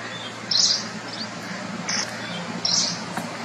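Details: Forest wagtail at Nalsarovar bird sanctuary, Gujarat, gives three short, sharp, high-pitched call notes at uneven intervals over a faint low background hum.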